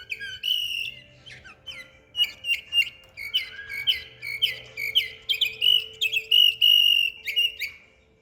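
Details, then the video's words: A canary in Samarkand sings a fast, continuous run of bright whistled trills and warbles, with rolling phrases and high chirps, over a faint steady hum. "САРИК БУЛБУЛ"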